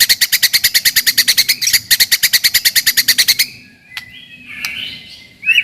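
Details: White-rumped shama song used to provoke rivals and to test the nerve of young birds: a rapid run of about eighteen sharp, evenly spaced notes, then a pause and a few scattered whistled and rasping phrases.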